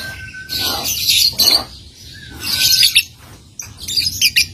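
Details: Young lovebird giving ngetik chatter that leads into ngekek: bursts of rapid high ticking and rattling notes separated by short pauses, with a thin steady whistle in the background.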